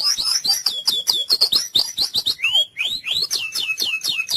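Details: White-rumped shama song played as therapy for mute, sluggish shamas: fast sequence of loud whistled notes sweeping up and down, with clear rising slurs and chattering accents, almost continuous.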